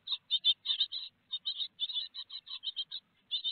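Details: At a Théding nest box in France, 4 May 2021, great tits with a large peanut on the menu give bursts of high, scratchy repeated notes in quick runs, with short gaps between them.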